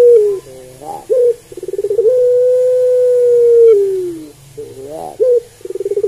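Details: Barbary dove (Streptopelia risoria) cooing: short grunting notes, then a rapid pulsed build-up into a long level hoot that dips at the end, followed by more grunts and pulses.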